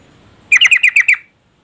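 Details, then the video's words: Female yellow-vented bulbul calling to stir a lazy male into singing: a quick burst of six loud, harsh chattering notes in about three-quarters of a second, then silence. "Trucuk betina memanggil jantan AMPUH merangsang jantan ikut bunyi gacor"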